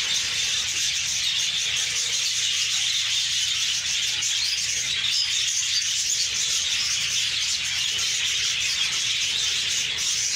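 Budgerigars chatter in a constant, high, buzzy twitter of overlapping chirps.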